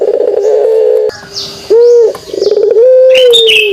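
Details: Pelung dove calling kugeruk: a held low coo, a pause filled by higher chirping from other birds, then a loud rising note and a long sustained coo, with sharp high chirps at the close.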